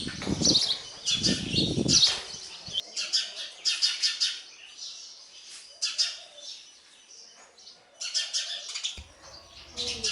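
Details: Sparrow nestlings fed by a parent give bursts of sharp, high, rasping chirps separated by short pauses, with low rustling at the start and end.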